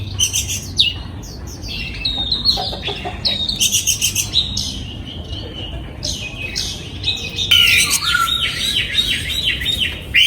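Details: Oriental magpie-robin singing in a free-flight breeding aviary, recorded in 2022; varied whistled and chirping phrases with sweeping notes, bursts repeated with short pauses, a brighter run of rapid twittering near the end over low background rumble.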